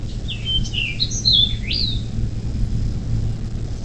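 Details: Bald eagle at a riverside nest near South Lebanon, Ohio, morning of 24 May 2024, caught by nest cam: a quick string of high, squeaky whistles sliding downward, then one rising note, with a low background hum.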